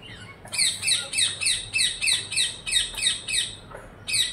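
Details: Parrot calling in a rapid series of harsh, grating squawks, about eleven short screeches repeated roughly every quarter second, steady and insistent, with a brief pause before a final squawk.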